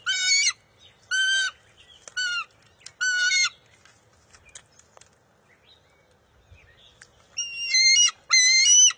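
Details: At a bald eagle nest, June 23, 2021, an eaglet fights its mother for a fish: four shrill screeches, several seconds of near silence with faint rustling, then two more loud screams.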